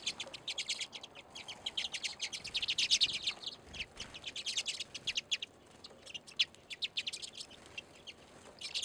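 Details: Nearly nine seconds of redpoll chatter at a February bird feeder in Anchorage, Alaska: many birds giving rapid, high, buzzy chirps and trills, densest around the middle, with faint low thumps.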